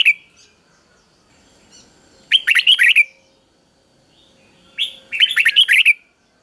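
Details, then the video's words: Three-syllable doubled song from a caged red-whiskered bulbul, played to train young birds. After a brief opening note, two loud, liquid warbled phrases sound about two and a half seconds apart against near silence. "เสียงนกกรงหัวจุกเบิ้ลเพลง3พยางค์ทั่วไปง่ายๆ สายนับดอกต้องหัดลูกนก"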